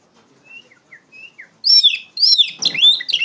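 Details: Singing Oriental magpie-robin, used as a lure for training poci birds: soft slurred whistles give way to loud, rapid, twisting whistled phrases delivered in two vigorous bursts.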